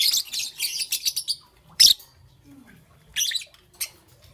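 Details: Chirping of a young peach-faced lovebird in the morning, a rapid run of high, harsh chirps for over a second, then a loud single squawk and two later short chirp bursts, with quiet gaps between.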